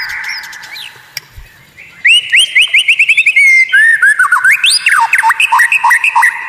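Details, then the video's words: White-rumped shama masteran (tutor) song, called strange and rare: quiet start, then a fast loud run of repeated upslurred whistles followed by tumbling downslurred notes and varied chatter. "Masteran murai batu Suara Aneh unik langka bikin lawan ngamuk sambar materi"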